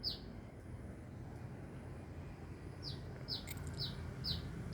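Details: Sunbird near Binjai: one high, falling chirp, a pause of a few seconds, then a quick run of similar sharp chirps, with light clicks and low background rumble.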